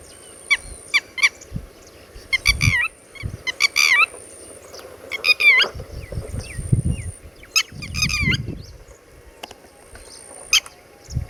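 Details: Red-wattled lapwing, known as tateri, calling around its chicks: repeated sharp, piercing notes and short rapid series, some ending in drooping slurs, spaced irregularly over several seconds. Soft low bumps and a thin high whine are also present.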